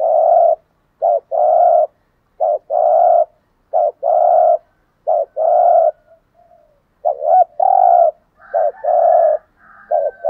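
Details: Decoy spotted dove calling steadily, giving a run of paired coos, each a brief bent note then a drawn-out even hoot, repeated many times over ten seconds with short gaps, no other sounds.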